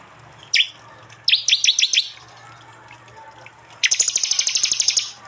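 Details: Prinia 'tembakan' song from a phone-recorded mix of prenjak, jali and mountain prinia sounds, East Java: a sharp falling chirp, a quick run of five high notes, then a fast, loud, rattling high trill lasting over a second.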